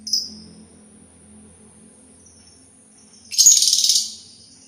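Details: Sultan tit: a faint high note, a pause, then a loud, rapidly pulsed, buzzy rattle lasting under a second.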